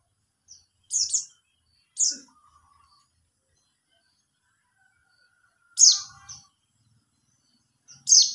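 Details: Mountain white-eye calling other white-eyes with a series of high, buzzy chirps, some given as quick doubles, spaced irregularly over several seconds with faint low background sounds.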